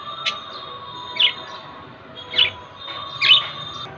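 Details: Budgerigar (Melopsittacus undulatus), chirping calls.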